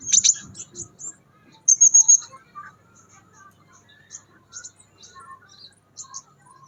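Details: Scarlet minivet in the wild. A short, very high trill comes first, then another thin high trill near the two-second mark, followed by scattered faint, high, thin notes.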